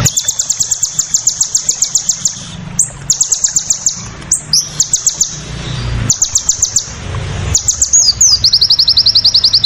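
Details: A crested jay giving a fierce "shooting" song as master audio: fast, high, metallic rattling bursts, each one to two seconds long with brief pauses between, over a faint low rumble.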